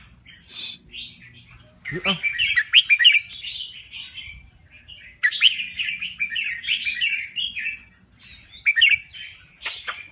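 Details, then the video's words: Red-whiskered bulbul from Thailand singing. Bursts of chattering, warbled whistles come in two main runs with short pauses between them, and a faint low rustle underneath. "Kicau Burung Merbah Jambul Gacor"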